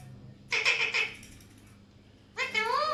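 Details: Alexandrine parakeets: a harsh, chattering burst of raspy notes, then a pause, then a rising-and-falling nasal call with strong overtones, over a faint low hum.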